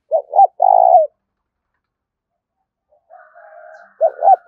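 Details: Spotted dove call used to bring wild doves closer: a full coo phrase, a long silence, a faint distant reply, then the next phrase beginning.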